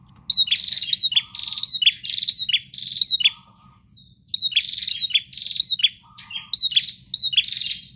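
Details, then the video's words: Prinia singing vigorously and nonstop: rapid series of sharp, buzzy chirping notes repeated in bursts of about three seconds, with a short pause between. A faint low note and a steady low hum run underneath. "Prenjak GACOR Ngotot Full Durasi Tanpa Jeda"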